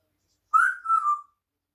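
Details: African grey parrot chatting while looking out the window and eating grapes indoors; one clear whistled, slightly falling phrase in two connected parts lasting under a second, with a quiet room around it.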